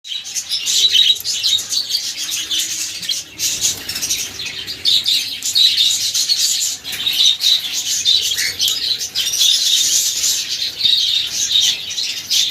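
A cockatiel sings in a steady stream of high chirps, warbles and whistled notes.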